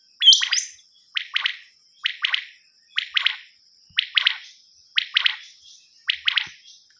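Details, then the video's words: Common quail call on a cassette meant for hunting: a crisp rhythmic phrase of two or three quick liquid notes, repeated regularly about every second, with a faint continuous high hiss behind. "نیوبٹیر کی کیسٹ اوریجنل وڈیو"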